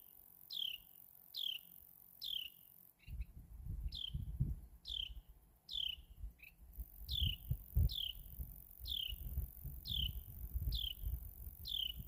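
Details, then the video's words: A Carolina wren gives sharp, high, down-slurred chirps, about one every three-quarters of a second, over low rumbling background noise. "Carolina Wren bird just chirping away."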